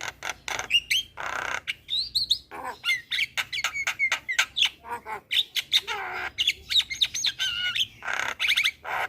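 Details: Energetic Javan myna song meant to coax young mynas into singing: a dense mix of rasping bursts, clicks, squeaks and short slurred whistles packed together without pause.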